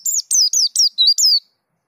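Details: White-eye of the Dakun type in rolling ngerol song: six quick, high, bright chirps in about a second and a half, each sweeping downward, with no other sounds.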